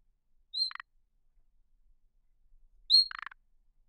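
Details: Two calls from a thrush nightingale a little over two seconds apart, each a high pure whistle followed by a short, low, dry croaking rattle.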